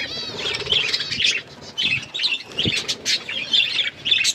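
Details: Several hand-tame pet budgies chatter continuously in high, buzzy warbles and chirps, with short pauses and occasional soft thumps or rustles.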